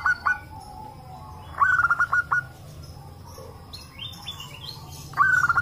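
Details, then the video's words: Local zebra doves in a lively answering chorus meant to coax other doves into song; three loud bursts of sharp, quickly repeated cooing notes stand out over softer trilling from more distant birds. "pancingan perkutut lokal agar bunyi - suara rame emang paling ampuh"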